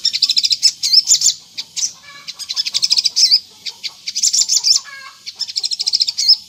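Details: A sunbird delivers energetic, fast song, played as a lure to draw replies from other sunbirds: bursts of sharp, rapidly repeated high ticks ending in twisting whistled slurs, each burst separated by short gaps, several in sequence.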